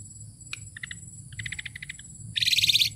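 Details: Asian pied starling, tame, singing softly: one sharp click, small groups of quick chirping notes repeated several times, ending in a louder, fast rattling buzz, with a faint steady hum behind.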